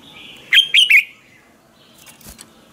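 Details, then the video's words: Red-whiskered bulbul in a morning training song, ché style: three loud, liquid whistled notes in under half a second, then near silence with a faint distant note. "Chào mào hót ché luyện giọng quá hay 2020, luyện chào mào hót sáng, cách luyện chào mào hót căng lửa"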